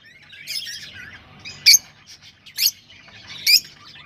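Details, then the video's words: Rosella sounds used to encourage breeding, mostly quiet soft twitters punctuated by three loud, short harsh squawks spaced roughly a second apart. "تغريد طيور الروز"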